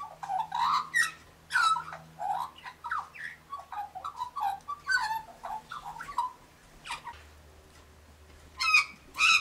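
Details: An Australian magpie warbles near local galahs in bursts of rich, fluting and gurgling notes with some harsher squawks, in irregular phrases about every second or two.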